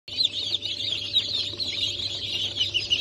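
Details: Newly hatched chicks of Sussex, Sultan, Turken and Australorp breeds, from a hatch dated 8 March 2024, form a dense, continuous chorus of high overlapping peeps with no pauses, over a faint steady low hum.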